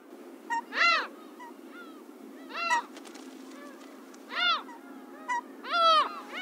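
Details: A slaty-backed gull in Pingtung County, Taiwan, on 1 February 2016 gives four loud, nasal, arching calls about every one and a half seconds, with softer short notes between, over a steady low rumble.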